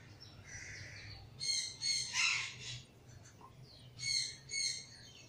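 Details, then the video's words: Pair of green-winged macaws giving harsh, raucous squawks in two loud bursts of several calls each, with softer scratchy calls between and a low hum underneath. "Greenwing macaw pair"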